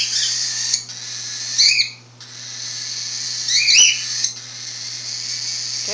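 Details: A 5-week-old albino cockatiel chick throws a food "tantrum", giving a continuous harsh, raspy begging call while its mother feeds it and its father moves anxiously behind.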